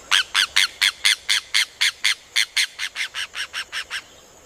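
A rufous hornero gives a loud, shrill series of about seventeen ringing notes, roughly four per second, fading slightly toward the end.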